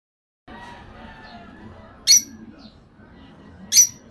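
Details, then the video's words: A caged parakeet gives two short, sharp, high chirping whistles about a second and a half apart, over a low indoor hum with faint murmuring. "whistle Of Parakeet Bird"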